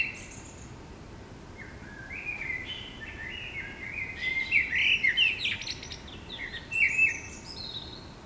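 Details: Common blackbirds in the morning in the city: after a quiet start, low fluty whistled phrases rise into a burst of rapid, high, scratchy twittering, then another warbled phrase closes the song over steady low traffic-like noise.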